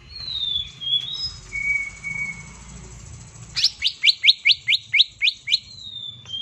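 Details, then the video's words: Green leafbird (cucak ijo) giving its tembakan burst, used to provoke mute leafbirds into singing: descending whistled phrases, then a fast series of about ten bright rising notes ending in a drawn whistle, with faint low rumble behind. "PANCINGAN TEMBAKAN CUCAK IJO"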